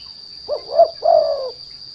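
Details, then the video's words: Spotted dove (derkuku) lure call used to provoke untrained doves into singing: a short two-part phrase of low, mellow hooting coos, the second note drawn out and falling, with a steady high electronic-like whine behind it. "The Sound of Lure Derkuku Lure"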